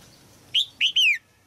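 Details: Red-whiskered bulbul female singing in a cage to stimulate an adult male: a short burst of three clear, whistled notes, the last one longer and falling, over a quiet background.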